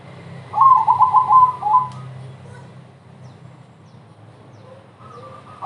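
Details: Zebra dove "crossing" song, used to coax other doves into singing: a quick rippling phrase of pulsed coos falling slightly at the end, then quieter soft notes, with low steady hum.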